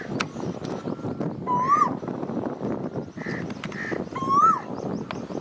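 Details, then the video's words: Asian koel giving two rising coo notes about three seconds apart, interspersed with short, higher flat notes and a sharp click, over steady background noise. "an Asian Koel bird says coo coo sweetly"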